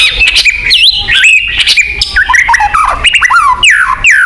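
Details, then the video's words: White-rumped shama song used to prompt a caged bird to sing: clear looping whistles, sharp rising and falling slurs and brief harsh notes in quick succession. "pancingan burung murai batu agar bunyi"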